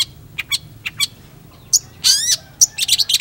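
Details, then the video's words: Long-tailed shrike giving scattered sharp chips, then a burst of buzzy rising notes and a rapid jumble of high squeaky chatter. "PENTET GACOR"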